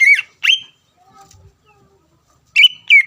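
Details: Greater green leafbird singing to stir up a rival: two sharp downslurred whistles, a near-silent gap of two seconds, then two more bright slurred notes.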